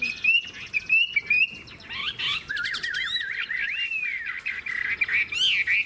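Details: Chinese hwamei, an old bird caught from the wild, with a fig-leaf tail and long body, in fine song: short bright whistles, then a long wavering, rising and falling warble with sharp accented notes.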